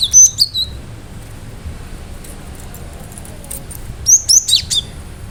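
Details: Cinereous tit in energetic song, sharp phrases to lure other birds into calling back: a piercing whistled burst opening, a quiet stretch, then a fast string of high clipped notes.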